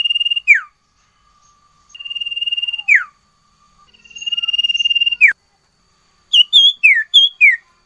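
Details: Sirtu bird's full 'nyiul nyiul' song: three pulsed whistled trills, each closing with a sharp falling sweep, followed by a quick series of alternating high and falling slurred whistles.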